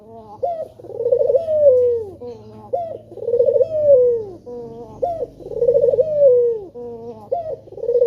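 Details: Three steady phrases from a male spotted dove, used as a lure to start other doves singing. In each, a short note leads into a long, vibrating coo that falls away, over a soft low hum.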